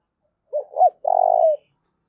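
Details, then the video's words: Spotted dove cooing, a call played to get newly caught wild doves to settle and coo: two short low hooting notes, then a long rolling purred coo lasting about half a second, in silence. "cu gáy// tieng cu gay thuc boi ve coi"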